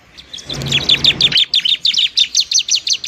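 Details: Bar-winged prinia giving fighting song to lure and stimulate reluctant birds: a fast, even series of sharp high chirps, about three per second, with a brief low rumble early on.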